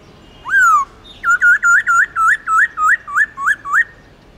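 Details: Black-throated laughingthrush sings a swooping whistle followed by a steady series of about ten short, looping whistled notes, evenly spaced, in its long slurred forest style.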